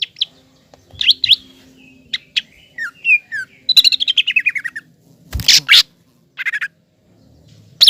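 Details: Singing green leafbird used to provoke a young speckled leafbird into an emotional, aggressive state. Whistled slurs lead into a fast descending run of about a dozen chirps, then harsh buzzy bursts and scattered sharp notes.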